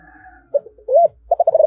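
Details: Short piece of a spotted dove's 'giọng thổ' calling coo. A single hollow note and a swelling coo are followed by a quick run of rapid pulsed notes at a low pitch.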